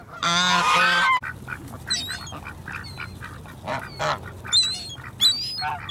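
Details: A swan goose in apparent need of help gives one loud, nasal, trumpeting honk lasting about a second, then quieter high chirps from small birds and background noise follow.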